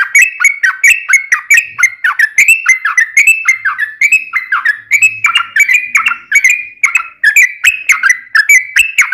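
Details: Yellow-vented bulbul singing a long rapid-fire song, meant as a lure so that other bulbuls start singing: nine seconds of dense, rhythmic liquid chirps, rising and falling note pairs tumbling almost without pause.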